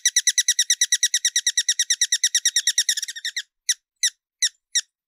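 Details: Hummingbird chipping: a steady, rapid sequence of sharp high notes for three seconds, then a short stutter and four slower, widely spaced chips.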